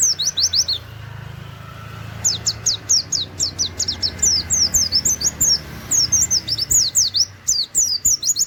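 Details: Continuous rapid song of an Oriental white-eye in canary-like "wit wit" style, meant as a master for training: dense, nearly unbroken strings of high, sharply falling whistled notes over a low background rumble.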